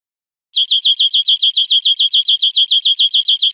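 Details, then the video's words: European greenfinch song: a fast, even trill of about twenty identical high chirps, roughly six per second, with nothing else audible. "Canto Verderon"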